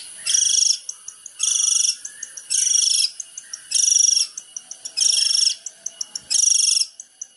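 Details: Long-tailed shrike master song for training: loud broadband harsh bursts about half a second long, repeated roughly every 1.2 seconds, with soft high ticking notes between them.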